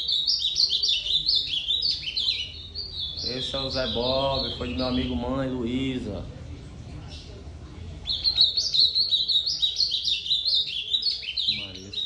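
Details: Ultramarine grosbeak (azulão) delivering rapid warbled phrases of high, choppy whistled notes. The song stops for a few seconds while a man speaks, then resumes just as briskly, with a low hum underneath.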